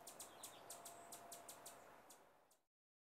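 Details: Rufous hummingbird, a feisty species of North America, sounding a quick series of sharp high chips, about four per second, before the recording cuts off abruptly into silence.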